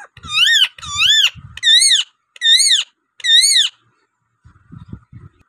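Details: Rose-ringed parakeet, a native pet bird that talks, gives five loud arched screeches about once every 0.8 seconds. Low knocking sounds come between them, then a quiet rustling tail.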